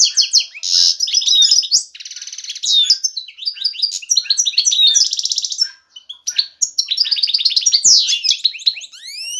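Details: Male European goldfinch singing excitedly to draw a female and spur her to mate and build a nest. Continuous rapid liquid twittering mixes with buzzy trilled passages and quick downward-sweeping notes, sung without pause.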